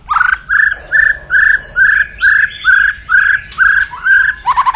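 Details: Aggressive, loud white-rumped shama crackling (kretekan), used to provoke rivals' fighting spirit: a run of about ten harsh, rattling notes, evenly repeated roughly twice a second, closing with a quick burst of sharp ticks.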